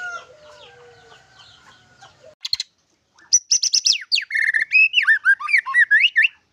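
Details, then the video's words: White-rumped shama singing with isian, the fill phrases in its song. Faint clucking and chirping at first, then a rapid burst of varied high notes, sweeping whistles and buzzy trills. "Suara Burung Murai batu dengan Isian mantap"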